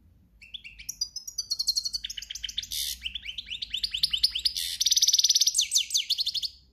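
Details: European goldfinch singing in breeding season in campero style: a long run of rapid high twittering notes, buzzy trills and down-slurred chirps, nearly continuous, with a faint low hum underneath.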